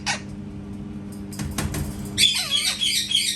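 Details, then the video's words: Parrot making cat sounds indoors: a brief harsh burst, some soft rustling, then a loud rasping squawk with wavering, buzzy overtones lasting about a second. "PARROT MAKING CAT SOUNDS"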